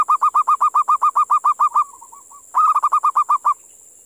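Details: Zebra dove, a wild local bird caught near a sacred tomb, giving an eerie call: a long run of quick, clipped, ringing notes fading into soft low trills, then a second rapid burst, with steady background hiss.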